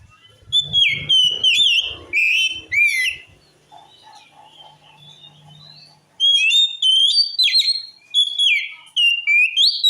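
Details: Oriental magpie-robin singing in a way said to provoke other males to fight: loud whistled phrases with sliding notes and rapid chirps in two bursts, separated by a quieter pause with a low steady hum.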